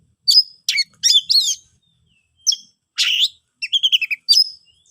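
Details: Oriental magpie-robin ngeplong song aimed at rousing silent birds: sharp descending whistles, a rasping burst and a quick stuttered series of chips, with short silences between.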